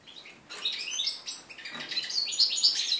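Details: Red-breasted flycatcher x canary mule hatched 2013, heard 11 January 2014 in its first song since moulting: soft opening notes, then a lively high-pitched warble of slurred whistles and trills.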